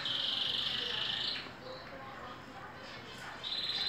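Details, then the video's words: Green canary, two years old, singing softly while in moult: a steady, buzzy high trill held for over a second, a quiet pause with faint background hiss, then the trill resumes briefly. "Canario verde na muda vocalizando"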